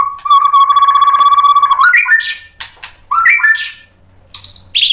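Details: White-rumped shama singing to goad others into answering: a steady, low, sustained whistle for almost two seconds that breaks upward, then a short rising whistled phrase and high thin squeaks.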